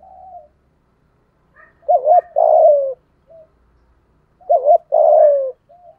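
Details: Lure spotted dove with a 'giọng thổ' voice giving two loud phrases, each a wobbling double note followed by a long downward coo, with soft cooing before and after.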